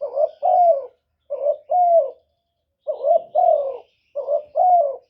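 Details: Spotted dove cooing, used to lure wild doves: four deep, rough double-note phrases, each a quick opener followed by a longer sliding croon, separated by clear gaps.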